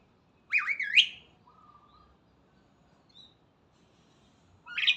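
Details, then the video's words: A starling's morning song: one loud looping whistled phrase, a soft flat low whistle, then a pause before another phrase begins. "Burung Jalak Gacor dipagi Hari"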